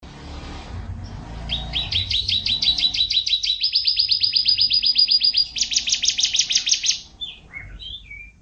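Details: Champion canary singing vigorously in a long master song full of fill phrases, used for training: a quiet opening, then a trill of repeated notes, then a faster steady trill, then a louder, broader trill, ending in a few short scattered notes.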